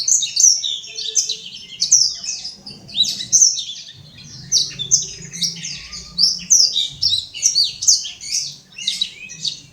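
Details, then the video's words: Caged imported black-throated canary in Legian Kelod, Kuta, Bali, in full song: a nearly continuous stream of high, jumbled chirps and twittered notes in short bursts, with a soft low hum beneath. "Burung blackthroat import gacor"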